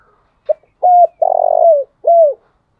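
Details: Morning calling coo of a spotted dove kept as a decoy to stir rival doves: a clipped first note, a flat sustained hoot, a buzzy tremulous coo that sags downward, then one last descending note.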